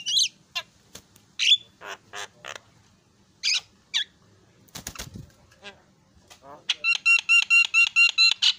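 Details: Javan myna excited by a lure recording, giving scattered harsh screeches and scratchy chatter, then a rapid, regular series of about ten clear ringing notes at the end.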